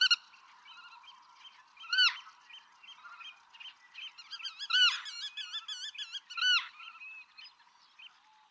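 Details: Black-tailed godwits, passage migrants in Pingtung County, Taiwan, on 6 October 2015: several nasal, harmonic calls overlap, with sharp downslurred notes near two and six and a half seconds and a run of quick wavering notes between them, over faint background hiss.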